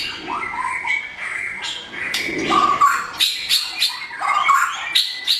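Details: White-rumped shama, blorok type, singing a morning lure song: mixed harsh chatter and whistled slurs, with sharp high clicks recurring in the later part.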